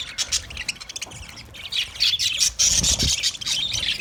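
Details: Budgerigars chirping while eating food: dense, continuous high warbling and squeaky chatter from several birds, with quick overlapping notes and a few low thumps underneath.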